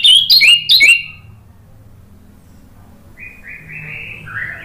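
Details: Loud ngeplong-style phrases of an orange-headed thrush used as a lure to prompt singing. Three quick sharp whistled notes drop in pitch, then a fainter, lower warbling phrase sounds at a distance.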